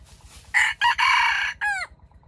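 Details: Loud crow of a trapped wild red junglefowl cock lured with bait: three rough, harmonic-rich syllables, the third held longest, then a separate descending tail note, with a soft steady hum beneath.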